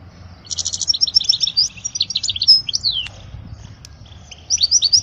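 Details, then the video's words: European goldfinch song, offered for teaching young chicks: rapid, high, tinkling twitters and buzzy trills. A pause comes near three seconds, then a fresh burst of liquid notes near the end. "أجمل تغريدة لطائر الحسون لتعليم الفراخ الصغار"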